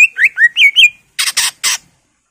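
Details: Greater green leafbird giving a quick run of slurred whistled notes, followed by three loud harsh, rasping squawks.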